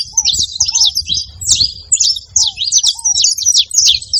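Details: Saffron finches calling together, a dense stream of sharp high chirps and twittering notes, with a few lower downslurred whistles from another bird.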